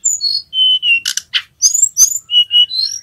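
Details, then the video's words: Young male Sunda robin practising ngerol song for training other birds: high clear whistles, some steady and some rising, mixed with two buzzy bursts and a sharp click, in quick succession. "Tledekan Gunung Jantan Belajar Bunyi NGEROL"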